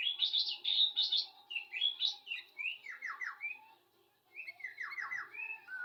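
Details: Tame sooty-headed bulbul singing: lively bursts of warbled, bubbling notes, a run of quick descending slurred whistles, a short pause, then another rolling phrase, over a steady low hum.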